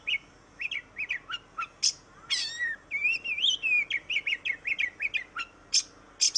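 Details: Oriental magpie-robin singing vigorously, used to stimulate reluctant birds: short whistled notes spaced out, a harsh rasp, then a long warbling run of wavering whistles and crisp chips, ending with raspy bursts.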